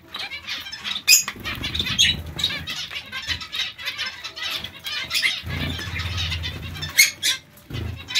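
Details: Many zebra finches in a colony giving scattered, short nasal calls and chirps over a background of wing flapping and low rustling, with occasional louder sharp notes.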